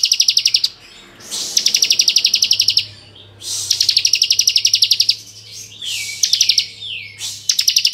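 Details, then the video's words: Bar-winged prinia (ciblek kristal) giving lively, varied ngebren song used as a tutor recording to provoke young untrained prinias: high, fast trills of rapidly repeated notes in bursts of about a second, separated by brief pauses and upslurred whistles. "Masteran Ciblek Gacor Full Ngebren Variasi Cocok Untuk Memancing Emosi Ciblek Bahan"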